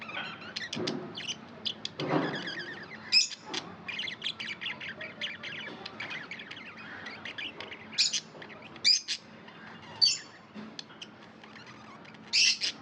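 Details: Budgerigar, a tame pet bird, chirping: busy stream of short high chirps and warbled notes, with louder sharp squawks near the third, eighth, tenth and twelfth seconds, over faint room noise.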